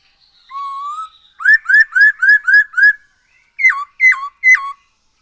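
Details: Black-throated laughingthrush in lively, full song, played as a lure to get other birds singing: one long level whistle, then six quick rising slurred whistles, then three sharp falling notes; clean and loud with no background.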